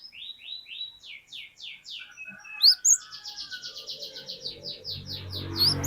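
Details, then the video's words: Cinereous tit, a lively singing untrained bird, used as a lure song to set off other birds, with a long 'wucit wucit' phrase. Repeated sliding high whistles, then a fast dense run of bright notes over low rumbling noise. "Pancingan Burung Glatik Batu Gacor Glatik Batu Bahan Auto Ngeplong Wucit Wucit Panjang"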